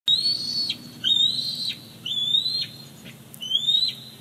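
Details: Bald eagles at a Big Bear Lake nest on 18 July 2019, as the father arrives with a fish for the chick, which grabs it. Four high, thin whistled calls, each rising slightly then dropping sharply, spaced about a second apart.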